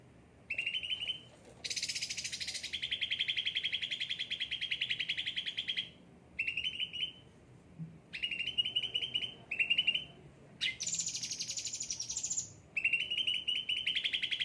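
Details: Cucak ranting, a frequently pampered kept bird, sings in long stretches: harsh high buzzing trills, steady rapid mid-pitched trills, and short trilled phrases broken by brief silences.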